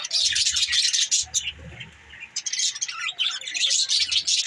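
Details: Budgies in a group, recorded December 18, 2023: loud, dense, continuous high-pitched chattering and warbling from several birds, easing briefly mid-recording before resuming strongly, with faint low rumbling underneath.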